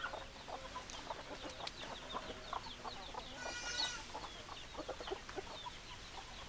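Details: Hens clucking among a flock of chickens on a farm, with many overlapping short clucks and chatter in the mid range, a brief higher squawk partway through, steady background hum.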